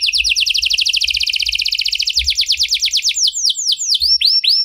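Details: Canary with a 'cengkok mewah' (luxurious) song style, played to make other canaries sing, gives a very fast buzzy trill that slows into widely spaced, downward-sweeping whistled notes.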